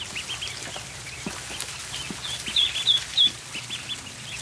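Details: Ducklings feeding on a barn floor: soft high cheeps throughout, then three louder, sharper peeps stand out midway, with light tapping and rustling behind them.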